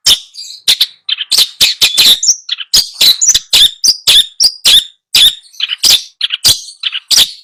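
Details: Long-tailed shrike tutor song for a bird that refuses to sing: a dense, continuous run of harsh rasping notes mixed with short whistled and warbled phrases, delivered rapidly with barely any pauses.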